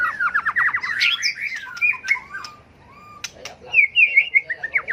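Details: Tail-flicking White-rumped shama in competitive fighting song for bird training: opens with a rapid stuttering trill of repeated notes, then slurred whistles, a quiet gap, and a burst of bright warbled phrases with clicks.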